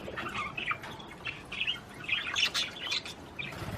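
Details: Australian budgies in mating-encouragement song: continuous chirpy, chattering warble of quick squeaky whistles and rasping notes, steady and lively throughout.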